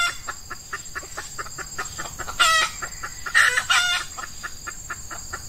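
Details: Red junglefowl called in with an F1 female decoy during Ramadan's male mating season, early on a hot morning: an even background of rapid ticks broken by two loud, rough, scratchy bursts near the middle.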